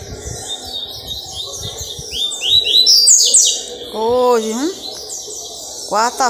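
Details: Double-collared seedeater on 4 October 2023, a Wednesday, giving a rapid string of high rising whistles that climbs and fades, followed by a lower, wavering nasal squeal and a final short squeaky note.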